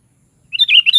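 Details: Sooty-headed bulbul starting a bubbly phrase of rapid liquid whistled notes, cut off partway through after about half a second.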